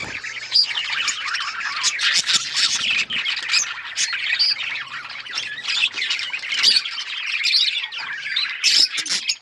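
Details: Several pet budgerigars squawking and chirping almost without pause, a harsh, crowded mix of scratchy notes and sharp high chirps.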